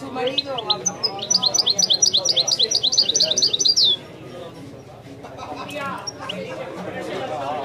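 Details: European goldfinch in the authentic Widani style delivers a long, fast series of sharp, tinkling repeated notes for about three seconds, then stops, leaving background conversation.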